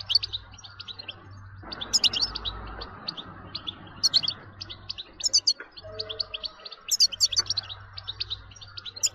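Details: Goldfinch singing 'tabtaba' style to rouse other goldfinches into continuous song: bright, fast twitters and trilled chirps in clustered bursts over a constant low hum and some background rumble.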